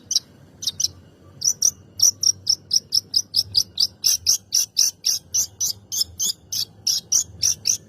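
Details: Long-tailed shrike song meant to provoke other birds to sing: a rapid, steady series of sharp, high, clipped chirps, about four per second, continuing without a break.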